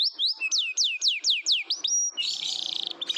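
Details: Canary singing, a lure recording meant to prompt quiet canaries to sing along: loud, rapid descending whistled sweeps repeated about twice a second, then a buzzy rattling trill and short high chips.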